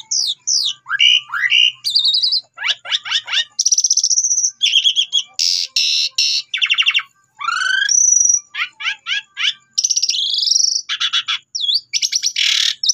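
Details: Asian pied starling giving a long, varied lure song to make other birds sing: dense rapid whistles, rattling clicks, sweeping slurs and repeated harsh buzzy bursts, hardly pausing over thirteen seconds.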